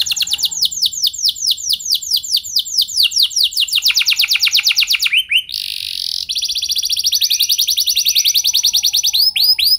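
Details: Canary song, recorded to prompt other canaries into long singing: fast rolling trills of downswept notes give way to a harsh buzzy burst, then a rapid, very high trill resumes.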